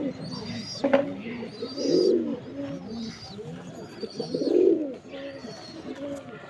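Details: Pigeon; display coo; male display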